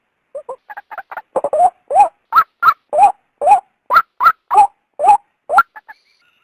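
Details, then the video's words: Female white-breasted waterhen call meant to entice the male out of its habitat: soft stuttering notes build into a steady string of loud, nasal, bending croaks about two to three per second, then fade. "suara burung ruak betina"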